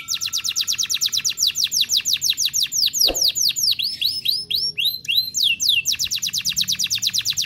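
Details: Canary of the F1Ys type in nonstop song as a master tutor: long runs of rapid descending whistled notes, a short click, then changing rolled phrases before the fast sweeping notes return.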